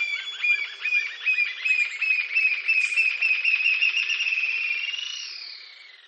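A Green-tailed Jacamar gives a high, thin series of rapid piping notes that speed up into an accelerating trill, then fade away.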